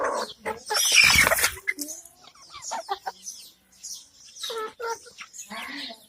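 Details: A hen with chicks. A loud, harsh broadband burst opens the recording, then scattered soft clucks follow. Sharp, high chick peeps come and go, with quiet gaps between them.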